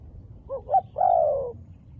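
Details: Low hollow cooing from a wild dove with black-spotted plumage: a quick wavering double note followed by one long, gently descending coo, over a quiet background.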